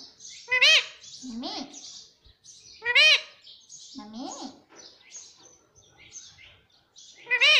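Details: Pet Indian ringneck parrot speaking words like mummy and papa indoors: bright, harmonic syllables that arch up and down, given in short bursts every second or so with quiet gaps between.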